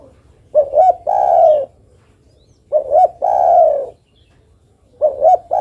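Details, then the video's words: Female spotted dove calling the male: deep cooing phrases, two short notes followed by a long drawn-out falling coo, repeated about every two seconds, in a quiet setting. "Suara burung derkuku betina memanggil jantan."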